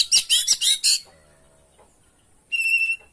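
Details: Singing oriental magpie-robin (kacer) used as a masteran lure: five quick, loud, scratchy high notes, a quiet gap with faint low tones, then a bright, steady whistled phrase with a slight waver.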